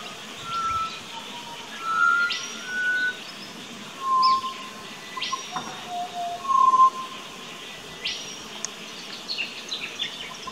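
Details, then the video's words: A pied butcherbird in an Australian backyard garden on 19 October 2018 gives pure, flute-like whistled notes, mostly steady-pitched and spaced a second or two apart, over soft hiss with faint higher chirps. "Pied Butcher Bird~Birds Singing"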